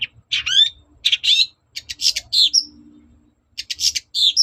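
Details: Long-tailed shrike song played to provoke a reply from other shrikes: rasping, noisy phrases with quick upward-sweeping whistles, a sharp high note, a pause, then further scratchy bursts.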